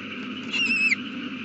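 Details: Nesting owl with a chick just hatched, 8:32 pm, April 18, 2019: a single drawn-out, thin whistled screech that ends in a sharp downward flick, with a steady hum underneath.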